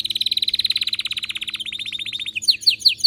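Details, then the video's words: Excited, fired-up canary in song: a fast, even trill of rapid notes slows into a separate rolling trill, then ends in loud, sharp, down-slurred whistled notes at about three per second. "غناء كناري هايج ومولللعCanario -canary"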